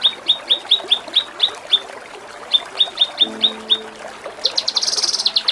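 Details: Kinoi masteran song for training contest birds: rhythmic high chip notes repeated about four times a second, a brief low hum, then a sudden fast buzzy rattling trill at the end.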